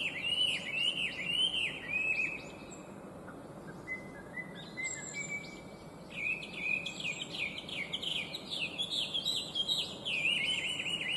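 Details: Complex, bright song of a Chinese hwamei, an invasive species: bursts of quick, looping whistled notes, a pause with sustained thin tones, then a dense run of varied rapid phrases to the end.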